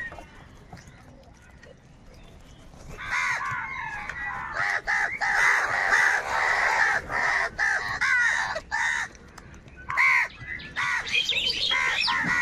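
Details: Crows fighting for food, a dense chorus of harsh overlapping caws building after a quiet start and continuing with short breaks, loud and agitated.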